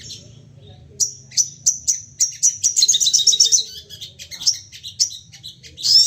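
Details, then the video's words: Crested jay calling excitedly as a lure for other birds: after a quiet start, evenly spaced shrill whistled notes quicken into a rapid rattling chatter, followed by irregular sharp chirps. "Sogon emosi nembak bertubi - tubi cocok buat pancingan bunyi dan naikan emosi"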